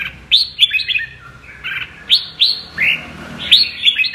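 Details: Red-whiskered bulbul singing in the double-voice style known locally as giọng kép: short, bright whistled phrases, each note sharply rising then slurring down, given in bursts about every half second with brief pauses, over a quiet background.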